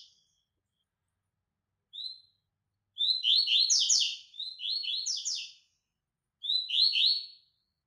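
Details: A captive White-throated Seedeater in training gives high, bright chips, then three fast, buzzy twittering phrases about a second long each, with short pauses between. No other sounds are heard.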